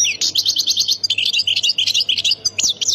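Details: A European goldfinch from Khemis Miliana, Ain Defla province, sings a lively stream of high, tinkling chirps and buzzy trills, briefly broken by short gaps, ending with sharp rising notes; steady low hum in the background.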